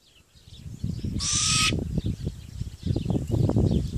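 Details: A Great grey owl × Malay wood owl hybrid, suspected to be female, gives a deep, rapid series of low, gruff hooting notes, about four per second, interrupted once by a short, harsh hiss.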